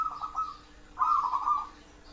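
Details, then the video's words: Local zebra dove uttering two rolling coos, each a quick series of pulsed, bubbling notes about half a second long, the second louder and fuller. "perkutut lokal"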